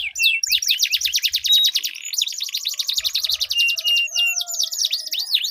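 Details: Long rolling canary song from a duel of two birds, meant to trigger silent canaries: fast chattering rolls, a brief pure held whistle, and continuous overlapping trills.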